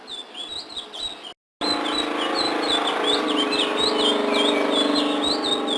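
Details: Energetic 'gacor' singing of a ledekan laut with fill-in notes: rapid, fairly regular chirped notes sweeping up and down, about four per second, with a short silent break early on and a constant low droning background.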